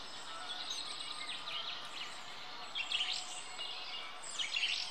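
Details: Long-tailed tit feeding on a fat dumpling in Rombergpark botanical garden, Dortmund, on 14 March 2014, filmed with a Panasonic Lumix GH3; thin, high chirping notes come in short bursts over steady background noise.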